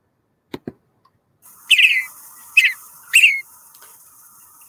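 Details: Western Bluebird in the oak woodland of Calero County Park gives three short, high, slightly buzzy chattering calls about half a second apart, after two soft clicks and under a faint distant hum.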